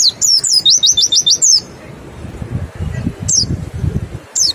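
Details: Mountain white-eye in a rapid 'nembak' song style, used as a lure to make birds sing quickly: a fast burst of high, bouncing, looping notes for about one and a half seconds. Two isolated descending call notes follow over low background noise.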